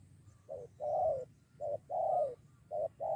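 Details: Spotted dove lured by a decoy during bird trapping, nearly fighting two against one: low mellow coos in pairs, a short note then a longer slurred, falling coo, repeated three times over a low background hum.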